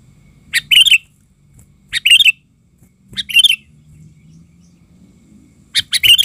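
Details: Sooty-headed bulbul used as a lure bird, calling in a frenzy: four loud, harsh chattering bursts, each about half a second long, roughly every one and a half seconds, with a faint low hum beneath.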